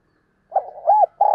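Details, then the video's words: Morning coo of a spotted dove kept as a lure for wild birds: a low, mellow rising-and-falling note followed by a steady, sustained coo, clean and close, with no other sounds. "Tiếng Chim Cu Mồi Gáy Gọi Buổi Sáng/ tiếng chim Cu Gáy Kích Bổi Nhanh Nổi Mỗi Ngày"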